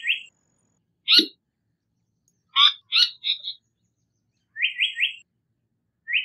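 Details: Singing Japanese paradise flycatcher giving grouped rising whistles in threes, mixed with several harsh, buzzy call notes and a short warbled phrase; the background is otherwise silent.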